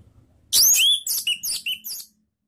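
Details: An orange-headed thrush sings a brief run of high, clear whistled notes with sliding phrases and quick chirpy fragments, lasting about one and a half seconds; a lure song used to prompt other thrushes to sing.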